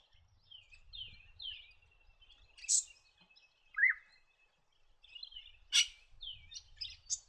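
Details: Red-rumped parrot from parklands and grassy woodlands in the New England region of NSW, Australia: soft, high whistled and slurred notes, with several sharper chirps and one lower downslurred whistle, over faint low rumble.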